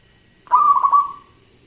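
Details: Local zebra dove in full song with a crystal-clear voice, giving one short cooing phrase of about four quick bubbling pulses that trail off smoothly.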